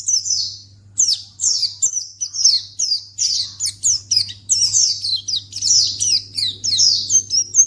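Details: White-eye lure sound for provoking other white-eyes into answering: a long run of high, thin, downslurred chirps, about two per second, growing denser and more twittering toward the end, with a faint steady hum beneath.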